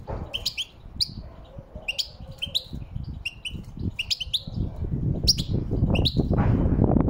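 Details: European goldfinch in the wild, giving a fast, liquid twitter of clipped chirps and short downward-sliding whistles in rapid clusters, against low rumbling background noise that grows louder toward the end.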